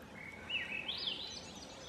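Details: Swainson's thrush on France Brook Rd., ASP, gives a faint phrase of fluty, reedy notes that climb upward in a quick spiral, with light background hiss.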